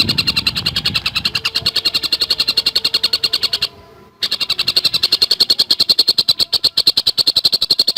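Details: Javan cuckooshrike giving a fast, tightly packed 'gacor speed rapat' song: a long run of high, clipped notes at about three to four per second, with one brief silence midway.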